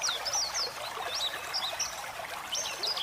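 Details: High, thin white-eye chirps and short whistled slurs come in quick bursts above steadily pouring water.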